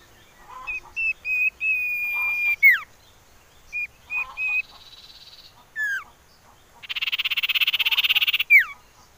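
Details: Common iora calling, a lure for getting birds to sing: long whistles ending in falling slurs, short whistle groups, a brief buzz, then a long rapid rattling trill closed by another dropping slur.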